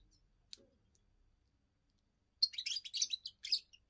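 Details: Young European goldfinch's first song, sung to guard its area and impress females: after near silence with a soft click, a two-second burst of quick, buzzy, tinkling twitters.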